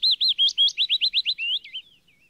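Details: Yellow warbler song: a quick series of about a dozen clear, high, slurred whistled notes, the first ones arched, then rapid upswept notes, ending in a few fainter wavering trills, with no other sounds.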